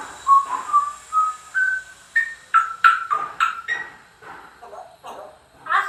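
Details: Captive African grey parrot whistling a rising series of clear tones that climb step by step, then a run of sharper whistled notes, indoors.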